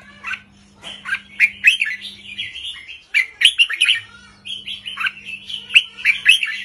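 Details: Short, lively red-whiskered bulbul song in the 3-4-5 counted-phrase style, meant to stir other birds; chattering, warbled whistles rising and falling in two clustered phrases, with a faint constant hum beneath.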